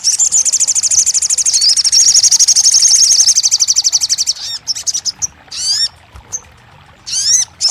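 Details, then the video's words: Crested jay sound, played so that silent birds begin singing: a long, fast, high rattling trill, then clusters of sharp, downward-slurred whistled chirps. "TERAPI RAJANYA SOGON MACET BUNYI | 1 Jam Langsung Buka Patuk & Nyahut!"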